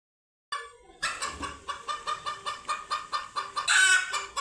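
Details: Frightened chickens reacting to cats for the first time: after a brief silence, a rapid run of loud, sharp cackling squawks repeated about four times a second, building to a louder, longer scream near the end.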